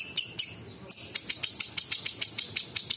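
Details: Cucak cungkok bulbul song full of imitation phrases: two thin high notes, then an even, rapid series of about twelve sharp, clicking chirps over a sustained high whistle.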